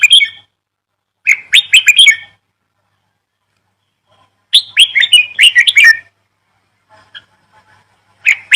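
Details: Lively bird chirping in short, dense bursts of sharp, high notes, each burst about a second long, returning every two to three seconds with faint twitters in the gaps.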